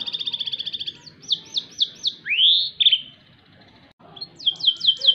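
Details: Loud twisting song of a white canary: a fast rattling trill, a series of sharp falling chips, a long rising sweep, a brief pause, then more repeated downward chips.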